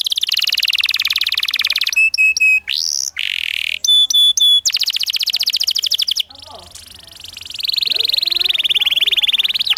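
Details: Canary singing a rolling 'ngerol' master song to teach young canaries the 'ngriwik' sound: long buzzy trills alternate with bursts of ringing metallic notes and a rising whistle, ending in a loud extended high roll.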